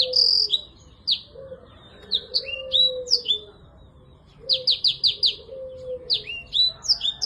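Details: Singing black-throated canary, played as therapy for birds that have gone quiet: loud, high slurred whistles alternating with pauses, then a rapid series of five or six sharp chirps in a row and more twittering phrases.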